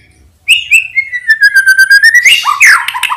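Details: Morning song of a white-rumped shama, used to prompt shy birds to sing: after brief silence, a long, slightly falling whistle with rapid pulsing beneath, ending in harsh chattering notes.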